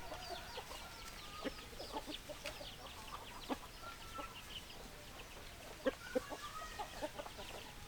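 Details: Chickens, a flock of hens clucking: dense, irregular short clucks and a few brief drawn-out notes, several birds overlapping, with constant background noise.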